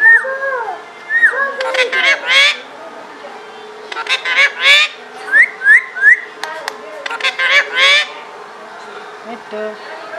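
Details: Pet parrot talking and whistling, mimicking Pashto speech: a series of bright whistled phrases and rising whistle notes alternating with harsh speech-like bursts, repeated over about ten seconds.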